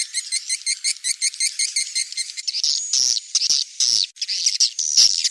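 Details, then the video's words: Swiftlet calls: a quick, even series of high, bright chirps, roughly two or three per second, gives way after about two and a half seconds to dense, overlapping twittering chatter broken by sharp clicks. "suara walet"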